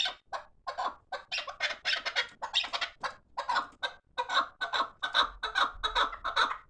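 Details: Fighting chukar partridges calling: harsh chuck notes at uneven intervals build into a steady rhythmic chuk-chuk series, each burst loud and rasping.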